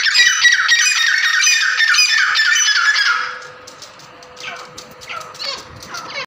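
Grey francolin calling in loud, harsh, rapidly repeated squawking notes that soon fade away.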